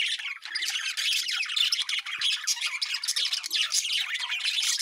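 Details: Lovebirds of the genus Agapornis fill the air with continuous, harsh, high-pitched squawking and chattering. Many overlapping calls blur into a dense, noisy wall of sound.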